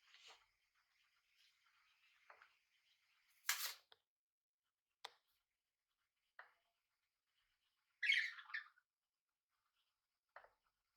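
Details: Cockatiel (Nymphicus hollandicus), call.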